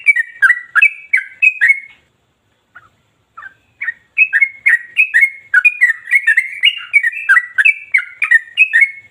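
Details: Yellow-vented bulbul (Pycnonotus goiavier) singing nonstop, pouring out rapid, bubbly, fluty phrases in quick runs, with a brief pause after two seconds before the chattering song resumes.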